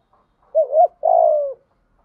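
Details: Spotted dove call for stimulating a decoy bird: a wavering two-part coo followed by a long, slightly rough note that slowly falls in pitch, in a quiet setting.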